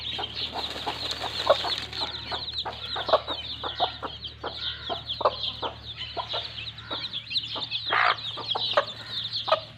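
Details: Mother hen with chicks in mud: rapid soft clucks and a few drawn-out calls amid dense high-pitched chick cheeping, against a background low hum.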